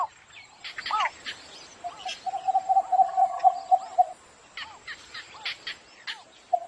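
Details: A cinnamon bittern at morning gives a rapid, even run of low knocking notes lasting about two seconds, framed by upward-curving notes and chips from other birds; a steady high whine hums behind.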